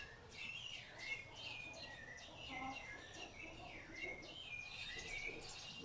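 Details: Rufous-bellied thrush bringing food to its chicks: a dense stream of high thin chirps and short downslurred notes, repeated in quick succession, with softer lower notes beneath.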